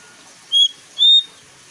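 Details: Bulbul, locally jongkangan, whose lively song serves to draw captive birds into singing: two bright whistled notes in quick succession, the latter a touch longer and rising, with near silence around them.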